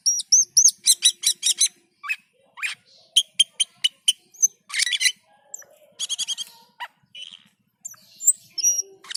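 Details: Black-and-white bulbul in full voice (gacor) and in a dazed state (teler): quick bursts of shrill stuttering chirps, then scattered harsh notes and short whistled slurs with brief pauses.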